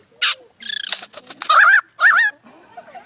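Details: Australian lyrebird imitating surrounding sounds: a rapid series of varied bursts, a sharp high note, a buzzy rattle, then two loud warbled, wavering phrases and soft trailing chatter.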